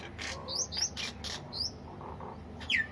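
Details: Myna birds in the evening giving a quick run of sharp whistles and chattering notes, several rising or falling squeaks and harsh bursts, with faint low background rumble.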